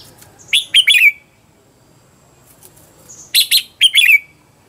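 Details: Red-whiskered bulbul used as a lure bird, trained at home to sing: two matching bursts of sharp chirps ending in a ringing downslurred whistle, separated by about two seconds of quiet.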